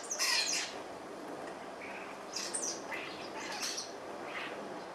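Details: Starlings feeding together in the morning at breakfast: scattered harsh squawks and high, sharp chirps in short bursts over a steady broadband hiss.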